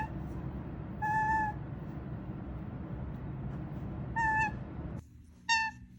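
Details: A pet toucan honks when happy, three brief nasal honks spread across several seconds with long pauses, the last sharper and clearer, over a low background hum.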